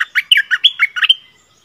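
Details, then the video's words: Bulbul, called nok dok taeng or merbah lekir, giving a short doubled-style song phrase of about eight quick, liquid whistled notes that jump up and down, then stop. "เสียงต่อนกดอกแตงEp.33เสียงใหม่ล่าสุด เปิดดอกเพลงเบิ้ลน่าฟังSuara merbah lekir"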